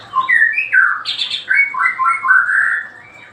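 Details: Daily song of a white-rumped shama: loud, fluty whistled phrases in quick succession, rising and falling, with a brief higher burst partway through before trailing off quietly.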